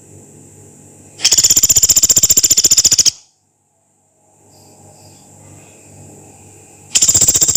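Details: A rice-collared woodpecker (pelatuk beras, Dendrocopos nanus) gives a loud, harsh, rapid rattling trill lasting about two seconds, then starts again after a pause, over a steady high insect whine.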